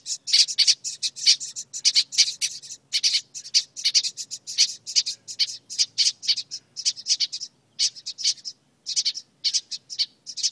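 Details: Young birds crowded in a birdhouse, angry at being filmed, keep up a dense run of harsh high-pitched squawks and chirps, overlapping at first, then spaced in quick bursts.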